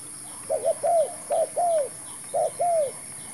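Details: Spotted dove (terkukur) calling during trapping with a newly brought decoy bird and a new trap: soft, low cooing phrases, a short double note then a longer drawn-out downslurred coo, repeated three times over a steady high hum.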